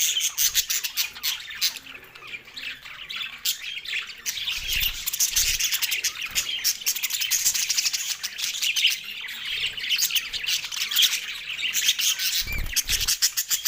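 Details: Australian budgerigars, green birds, chattering as they eat: a long stretch of dense, bubbling twitter and scratchy calls, with occasional low knocks in the background.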